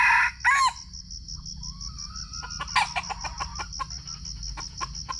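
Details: Red junglefowl recorded on a GoPro while being lured for trapping in Sumatra. A harsh crow-like burst opens, then a run of sharp, irregular clucks follows, with crickets pulsing steadily in the background.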